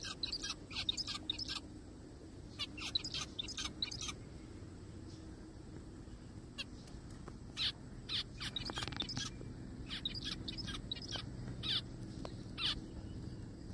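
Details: Zebra finches heard in a forest, giving short, harsh, nasal broadband calls in quick bursts of three to six, then pausing, with a steady low hum beneath.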